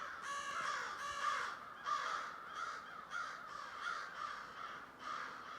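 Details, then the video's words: Thousands of crows calling at once, harsh caws pulsing in irregular bursts roughly every second over a continuous noisy background chorus. "Thousands of Crows Weird noise in the background of them."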